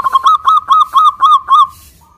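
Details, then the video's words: Zebra dove, local type, singing as a lure to get other doves to answer: a fast chain of seven bright, rolling coo notes, evenly spaced and slightly accelerating before fading off. "PANCINGAN PERKUTUT LOKAL GACOR UNTUK YANG MACET BUNYI SEMUA IKUT NYAUT"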